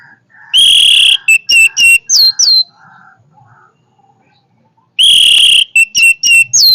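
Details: Orange-headed thrush in powerful song, each phrase opening with a long, loud sustained whistle followed by a rapid string of short notes and rising slurs; the phrase repeats after a quiet gap of about four seconds.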